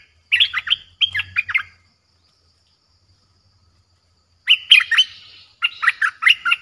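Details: Streak-eared bulbul song played as a lure for wild birds, a fierce-sounding recording: two bursts of quick, bubbling, chattering phrases, each of three or four warbled notes, separated by a pause of about three seconds.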